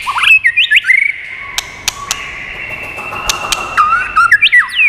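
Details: White-rumped shama, its song used to rouse and train birds: bursts of quick whistled slurs at the start and end, a long steady tone and soft lower whistles between, with occasional sharp clicks.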